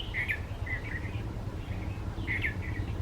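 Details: Red-vented bulbul singing from wildflowers on a birding trip: a liquid, chirpy phrase of a few tumbling notes, a softer pause, then the same phrase repeated, with low rumble beneath.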